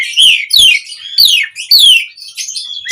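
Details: Asian pied starling song used to prompt other birds to sing: four loud downslurred whistles about half a second apart, then softer twittering.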